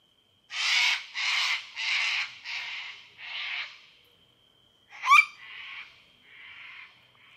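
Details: In a backyard, a Sulphur-crested cockatoo feeding on leftover pizza while others wait in the trees gives five harsh, raucous screeches, a sharp rising squawk and softer rasps over a faint high whine; the owner thinks it is calling the flock in to the food.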